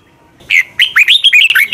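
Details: Red-whiskered bulbul from Thailand, for voice training: one fast, fiery phrase of clear, looping whistled notes, slurring up and down in quick succession.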